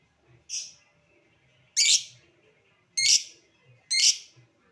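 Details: Lovebird calling with short chattering notes, ngetik leading into ngekek, meant to make other lovebirds respond: four harsh, sharp high chips spaced about a second apart, quiet between.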